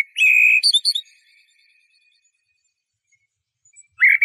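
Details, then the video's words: Eurasian blackbird: a sustained, buzzy-edged whistle followed by a few high squeaky notes, then a long silence before a new whistled phrase starts. "تغريد طائر شحرور (جحمومية)Merle noir"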